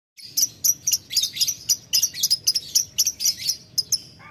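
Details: Lovebird calling a rival in the ngetik ngekek style: a run of shrill, high chattering bursts, each short and buzzy, repeated about twice a second with uneven spacing over a quiet low hum.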